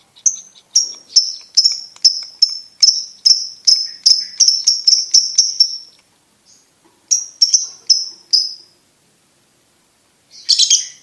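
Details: Champion competition lovebird calling: quick string of sharp high chirps for six seconds, a pause, a short second run, then a harsh rasping burst.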